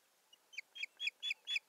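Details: Osprey at a nest-camera site in Satakunta, Finland, 7 May 2019, bringing a stick and busying itself at the nest; a short series of five sharp, rising chirped whistles, each louder than the last, about a quarter-second apart.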